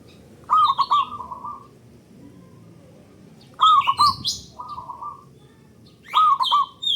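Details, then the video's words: Local zebra dove calling loudly to lure other doves into song: three rounds of a stuttering, bubbling coo ending in a held hollow tone, about every three seconds, with sharp high chirps layered on top. "Pancingan Burung Perkutut Lokal Gacor Dor Bersaut Sautan $uara Keras Panjang"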